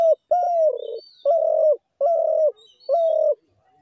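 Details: Low, mellow cooing of a spotted dove: a short opening note, then four sustained coos spaced roughly half a second apart. The first coo trails off downward. The setting is otherwise quiet.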